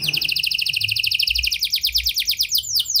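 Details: Canary lure song with prinia and lovebird phrases for canaries that have gone quiet: a continuous, very fast trill of evenly spaced bright notes, finishing with two long downward swoops.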